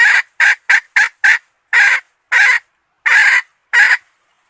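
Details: A red junglefowl hen kept to lure males gives five quick clipped clucks in a tight series, then four longer, fuller raspy notes spaced about half a second apart.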